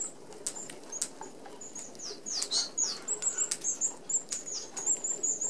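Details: Feeding flock of Red-browed finches at an open aviary feeder that excludes larger birds. Sharp, very high thin calls and short downslurred notes overlap with a busy patter of wings.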